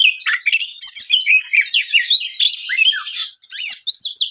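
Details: Oriental magpie-robin (kacer), a champion singer, pours out a dense, fast medley of rising and falling whistles, harsh squawky notes and trills, used to provoke other magpie-robins into a frenzy.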